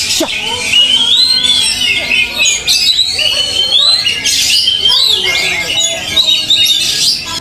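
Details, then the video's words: Kacer, an Oriental magpie-robin, trained out at a field, delivers loud, high warbled and whistled phrases in long runs, with sharp slurred notes, set against a thick chorus of other birds singing at once. "serasa melatih mental Kacer di LAPANGAN"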